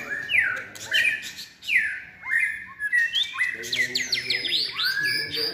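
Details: White-rumped shama trained for singing contests, in its third moult season, delivering loud whistled phrases that swoop downward, then a dense burst of rapid, varied high notes with some harsh, buzzy elements.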